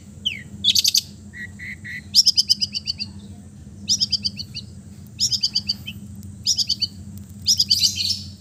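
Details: East Javan long-tailed shrike in relaxed, talkative song full of fills, used to coax mute birds: spaced bursts of rapid buzzy high notes, each phrase a fast stuttering series, with a few lower chirps early on.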